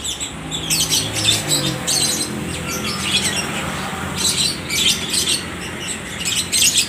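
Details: Caged lovebirds at a bird market in Aceh Tamiang, Indonesia, answering each other with clustered bursts of bright, high-pitched chirps separated by short gaps, over faint low background noise.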